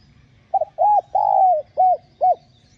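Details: Spotted dove coo phrase used to stimulate newly caught doves to coo: a stuttered opening note, an arched coo, a long gently falling coo and two short rounded closing notes, with low rumble beneath.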